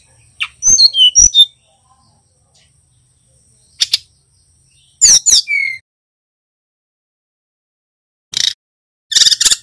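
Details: Male brown-chested jungle flycatcher from Bali, young and practising its song. Irregular phrases of high whistled notes, some sliding downward, separated by pauses of a few seconds, with short scratchy bursts near the end.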